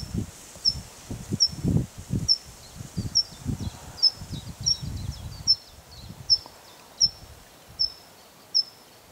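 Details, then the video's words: Singing tree pipit delivering a string of sharp, high, evenly spaced notes that quicken, then slow and fade, with low rustling and wind-like noise beneath. "Boompieper/ Tree Pipit"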